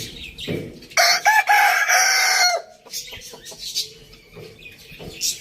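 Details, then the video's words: Rooster in a farm village giving one loud crow of about two seconds: a harsh, harmonic-rich cry in several bursts that ends with a falling tail. Softer clucks and chirps come before and after. "Amazing rooster crowing sounds"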